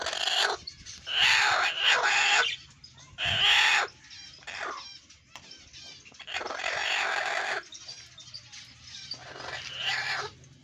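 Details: An angry golden hen gives harsh, noisy squawking bursts of about a second each, separated by short quieter gaps. Softer rasping sounds fill the pauses, and a low hum runs underneath.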